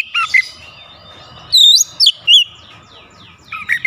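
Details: Oriental magpie-robin singing with open bill: a few soft warbled notes, then three loud sharp looping whistles, a pause with faint background hum, and more quiet twittering at the end.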